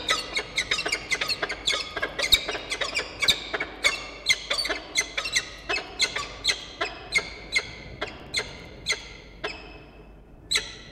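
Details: Peregrine falcon calls at a nest in Orange, New South Wales, recorded 4 August 2021 around 9 am; a rapid series of short, sharp, harmonic chipping notes, evenly spaced and gradually weakening, with a final louder note.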